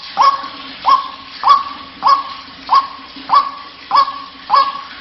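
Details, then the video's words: Lure call of the white-breasted waterhen for attracting birds: harsh, clipped notes repeated steadily roughly every 0.6 seconds, eight in a row, over a faint constant low hum. "SUARA PEMANGGIL BURUNG RUAK-RUAK"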